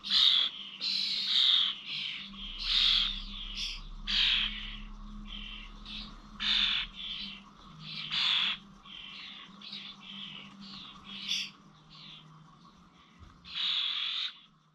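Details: Common starlings at Corby old village feeders, 21 November: irregular bursts of harsh, squeaky chatter and brief whistles, louder at the start and near the end, over a steady low hum.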